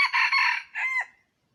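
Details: Red junglefowl crow used to lure wild chickens: a loud, harsh multi-part crow of two long broad segments with a short trailing note, lasting just over a second.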